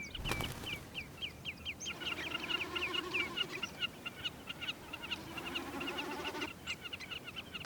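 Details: A common snipe in Iceland in summer drums with its tail feathers during an aerial display: a low, throbbing, bleating hum that swells for a few seconds under a busy run of high, quick chirps from other birds.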